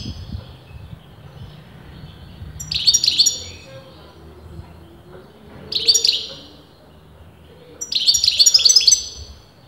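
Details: Sustained singing from a European goldfinch, its sex debated among breeders: three separate bursts of high, jingling twitters, roughly every three seconds, with faint background murmur between phrases.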